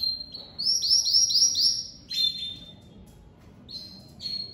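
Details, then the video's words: Domestic canary, a crested pied 'lavandeira de topete' bird just out of moult, singing very loudly: a fast run of repeated sweeping notes, about five in a second, followed by high whistled tones and rolls. "Canário doméstico lavandeira de topete saindo de muda e cantando muito forte"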